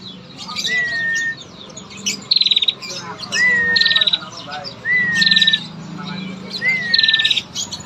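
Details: Female bar-winged prinia calling persistently with long trills, used as a lure to get males singing: four phrases, each a short slurred whistle followed by a rapid buzzy ticking trill, repeated about every one and a half seconds, with faint chirps behind.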